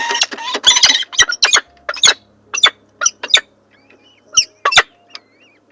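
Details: Falcon parents and chicks at their nest: a rapid burst of harsh, squawky chirps, then sharp separate chirps every half second or so, with a few thin whistled notes near the end.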